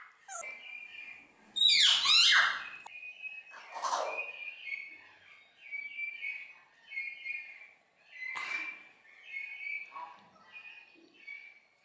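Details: Talkative common hill myna at a bird garden in Upie, Drôme, France: a loud harsh burst, then a series of short whistled harmonic notes repeated roughly every second, over quiet background.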